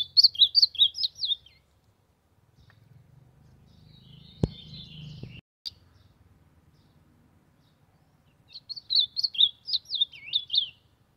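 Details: An ultramarine grosbeak sings to warm up, giving two bursts of rapid, warbling whistled phrases separated by a pause filled with low rumbling noise and a sharp knock.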